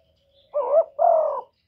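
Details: Spotted dove cooing as a decoy call for luring doves: two low, hollow coo notes, the first shorter and slightly rising, the second longer and steady, on a quiet background.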